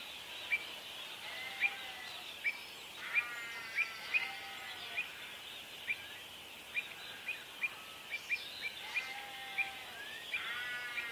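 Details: Pied avocets with chicks, protecting their young amid a territorial dispute: sharp, short, high piping notes repeated irregularly about twice a second over a steady wash of other bird chatter and harsh background calls.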